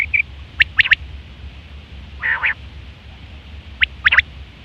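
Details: Quail in September 2023, calling for hunting and mating: crisp triple notes at start and end, a short buzzy nasal phrase in the middle, and a brief high note opening, over low background rumble.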